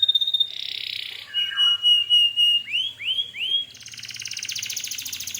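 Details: Canary singing strongly to draw other canaries into answering: a thin whistle, a harsh buzzy burst, a long flat whistled note, three upward-curving slurred notes, then a fast buzzy trill.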